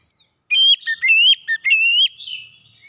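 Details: Oriental magpie-robin song for training other birds: loud, clear whistled phrases alternating between high and lower notes, ending in a long, slurred, fading whistle.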